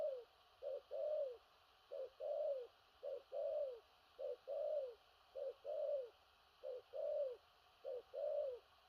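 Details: Spotted dove, a big-bodied bird, cooing in thổ rặc style: very regular phrases of one short clipped note then a longer hollow coo falling at the end, repeated about every 1.2 seconds, clear and loud.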